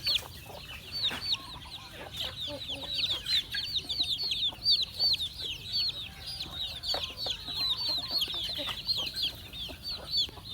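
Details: A flock of chickens being fed on a farm, calling in a loud, busy stream of short, high chirps repeated rapidly, with a few scattered knocks and rustles beneath.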